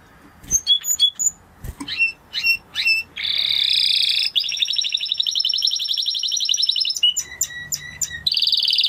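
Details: A Spanish Timbrado canary gives several separate sharp chirps, then breaks into long buzzing rolled trills, followed by a run of clipped steady notes and another trill.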